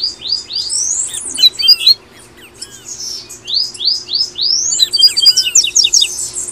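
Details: Double-collared seedeater, papa-capim, singing in the tui tui style, for encouraging caged birds to sing: rapid upslurred whistles in quick series, sharp chips and curved notes, a pause near two seconds, then another dense burst over a steady low hum.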